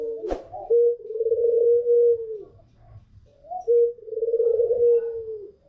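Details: White long-cooing pelung Barbary dove alongside a local Barbary dove: two long, level, hollow coos of about two seconds each, each introduced by a short rising note, after a sharp click at the start.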